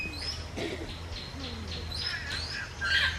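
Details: African grey parrots feeding on fruit in the wild utter a series of brief whistles and harsh squawks, growing louder toward the end, over a continuous low background hum.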